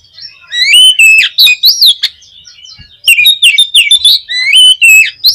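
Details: Oriental magpie-robin song, played as a lure to rouse a kept magpie-robin into singing: loud, clear whistled phrases with rising and falling slurs and rapid sharp chips, in two bursts separated by a brief quiet gap.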